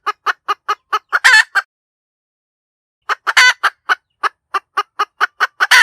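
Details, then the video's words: Hen cackling: quick clipped clucks in a run, each burst ending in a long, drawn-out, high nasal squawk, then a silent gap of about a second and a half before the clucking series starts again. "เสียงไก่แม่กะต๋าก เสียงชัดสำลับต่อ suab poj qaib tsauj zoo cuab 100%"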